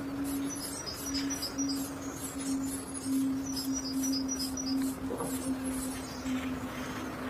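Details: Little pied flycatcher nestling, hatched late and frequently left without food, giving high, rapid begging notes in short bursts over a low constant hum.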